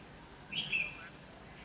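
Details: Red-whiskered bulbul singing at a trapping site, 19 November 2015, used as a decoy for wild birds: a single brief, clear, slurred whistled phrase dropping slightly in pitch, followed by quiet and men talking afterwards.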